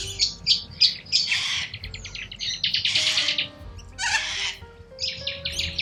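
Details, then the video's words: Wild corella cockatoos in Australia giving loud, harsh, rasping screeches in overlapping bursts from several birds, with short scratchy notes between them and faint steady tones like music underneath. "WILD Corella Cockatoos"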